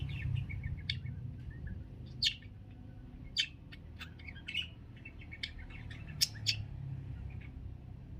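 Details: Parakeet calling: scattered sharp chirps and short squeaky notes, irregular and chattering, over a low background rumble.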